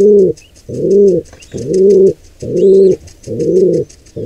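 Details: Five resonant, low arched coos roll out roughly every 0.9 seconds from a pigeon during an intruder pair's attack on a wild nestling, with soft high chirps of small birds in the background.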